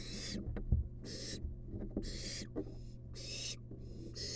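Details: Wild barn owl nestling in a monitored nest box, begging as its mother brings a long-tailed rat; harsh, broadband hissing bursts repeat about once a second over a steady low hum, with light thumps and rustling.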